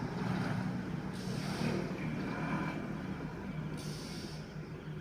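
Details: Low vehicle hum and hiss with brief air-brake-like bursts, and no animal calls.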